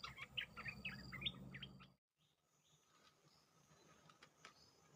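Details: Bulbul trapping lure call: about two seconds of fast, liquid chirping phrases, then a sudden cut to quiet hiss with a few faint clicks.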